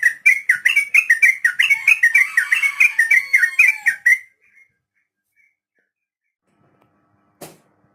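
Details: Captive-training 'ropel panjang' song of a sooty-headed bulbul, meant for untamed beginner birds to copy: fast rolling chain of bright, slurred whistled notes for about four seconds, then quiet with one faint click.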